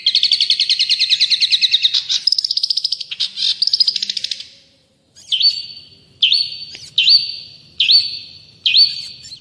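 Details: Long-tailed shrike (cendet/pentet) in full song, recorded to tutor and prompt cagebirds. A fast harsh buzzy chatter lasts about four seconds, then a short pause, then five sharp down-slurred whistles spaced about a second apart.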